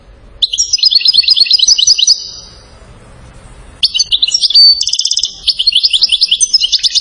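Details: Goldfinch from Settat, Morocco, noted for salasiyat song: an even run of rapid twittering notes, a silent pause, then bright mixed chatter with a short ringing trill and another steady repeated series.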